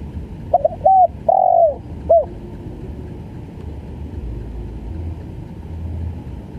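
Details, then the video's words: Spotted dove giving a short stuttering call: a few quick hiccuping notes, a longer falling coo, then one final short note, over a constant low rumble of traffic or engine noise. "SUARA TEKUKUR||GAGAP FUL"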